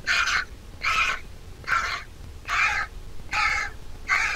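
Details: Massive vulture nestling begging as the mother feeds it: six loud, coarse, buzzy squawks, each about a third of a second long with short pauses between, little else audible.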